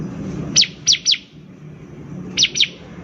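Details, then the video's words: Bar-winged prinia singing actively, used as a lure to prompt other birds to start singing: sharp, high downslurred notes, three in quick succession, a pause, then two more, over low background hum. "PANCINGAN CIBLEK GACOR || CIBLEK BAHAN PASTI CEPAT BUNYI"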